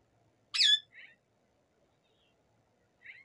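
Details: Native rose-ringed parakeet, described as a talking bird: one loud, harsh, downward-bending squawk, followed by two softer, short raspy calls spaced well apart. The background is otherwise silent.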